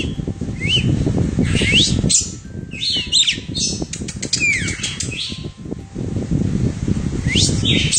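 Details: Red-cowled cardinal settling on a person's hand, giving short, sharp whistled chirps and quick upslurred notes in scattered bursts, with wing flutters and a steady low rumble of handling noise beneath.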